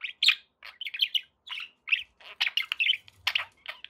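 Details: Contented pet budgerigars giving bright, separate chirps and short warbled notes, spaced irregularly with small silences in between.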